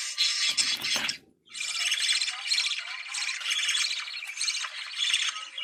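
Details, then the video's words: Budgerigars singing a breeding-stimulation chorus: a brief scratchy burst, a short pause, then sustained, richly buzzing warble with rapid pulsing notes carrying on without a break. "Muhabbet Kuşu Kızıştırma Çiftleştirme Sesi"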